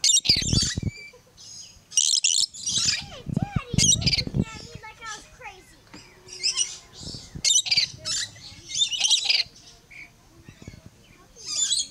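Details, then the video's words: Yellow-streaked lory at Lion Country Safari, South Florida, giving harsh, screechy squawks in irregular bursts, mixed with warbling whistled notes and low chattering sounds. "Yellow Streaked Lory Singing"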